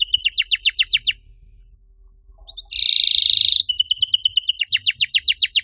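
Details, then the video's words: Canary song played as a master to lure other canaries that stopped singing; quick repeated downward-sweeping chirps, a short pause, a rich buzzing roll, then more fast sweeping notes. "MASTERAN KENARI AMPUH BUAT MANCING KENARI LAIN YANG MACET BUNYI! - CANARY SINGING"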